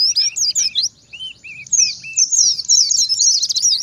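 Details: Oriental white-eye singing in the wild 'ngalas' manner, used to lure white-eyes into answering and to train caged birds. Sharp chirps are followed by five soft, lower arched whistles, then a burst of rapid, high twittering.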